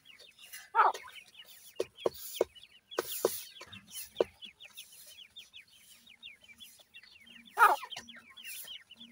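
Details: Flock of 28-day-old francolin chicks feeding in a yard: many thin, high peeps sliding downward, repeated rapidly and overlapping, with sharp pecking knocks and taps scattered throughout.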